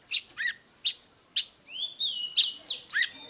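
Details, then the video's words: Oriental magpie-robin song used to stimulate other magpie-robins: separate sharp, harsh notes alternate with a long rising-then-level whistle and a few downslurred whistles, spaced about half a second apart, with light background hiss. "Chòe than HÓT - DÉO Kích bổi Ức chế"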